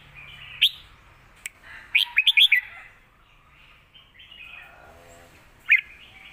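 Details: Red-whiskered bulbul, a caged Thai songbird, giving a Lak Wai style teaching song for young birds: a lone whistle, then a tight run of four or five bright, rising and falling notes, and a final clear note.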